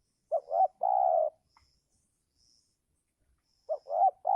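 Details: Spotted dove calling in the giring season as part of an attempt to lure down wild doves. A loud phrase of two quick hoarse notes and a drawn-out coo is followed by silence, then the next phrase begins.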